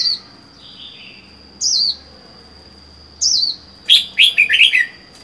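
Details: Caged red-whiskered bulbul kept alone, four months in the cage after being caught wild: a few thin descending whistles, then a burst of loud warbling, bubbly notes near the end, with a steady high electronic tone throughout.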